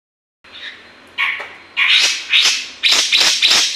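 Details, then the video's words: Grey-cheeked bulbul, a caged bird in full song, used to lure or stimulate other birds: loud, harsh, chattering bursts repeated about every half second, growing louder and fuller toward the end. "BURUNG CUCAK JENGGOT GACOR COCOK UNTUK PANCINGAN"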